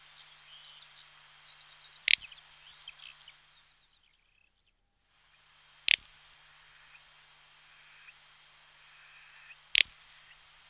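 A little bustard gives three short, dry, snorting 'prrt' calls about four seconds apart, over a steady high insect chorus.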